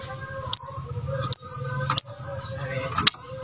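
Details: Brown-throated sunbird singing actively, played as a model to train other birds to sing: four sharp, very high chirps about every 0.7 seconds over a steady low hum.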